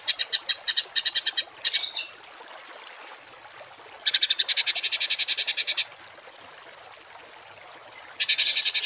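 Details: Coarse shot-like songbird bursts recorded as masteran for cage and contest birds: short fast rattles separated by long quiet gaps, each burst a rapid train of dry, buzzy pulses.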